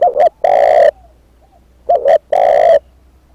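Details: Two cooing phrases from a spotted dove used as a decoy, each made of a brief doubled note and a long, loud, level coo, with faint answering coos from farther away.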